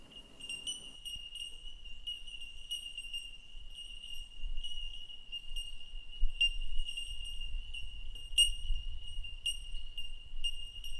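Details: Bell Miners, also called bell birds, small olive green birds high in the canopy of open eucalypt forest at altitude on the Great Dividing Range: a chorus of sharp, ringing, bell-like tinkling pings repeated continuously, with low rumbling wind.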